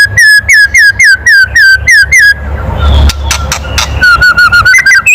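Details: White-rumped shama kretekan, a loud call for provoking other birds, with short rising whistled notes repeated steadily about four per second. A pause with faint noise follows, then a softer run of similar notes.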